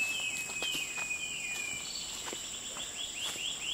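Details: Short-tailed Babbler (Malacocincla malaccensis) at Venus Loop, Singapore, giving a long, thin descending whistle, then a quick run of short rising whistled notes, over a steady high insect drone.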